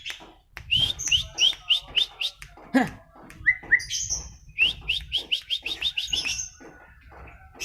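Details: White-rumped shama at home delivering runs of short, bright upslurred whistles repeated in quick series, broken by a few harsher notes and a lower swooping sound.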